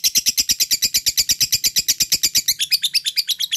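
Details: Lovebird of fighter type singing ngekek, a lure for lazy birds to answer: rapid high chattering trill of sharp notes about eight per second for two and a half seconds, then slightly slower, more separated notes.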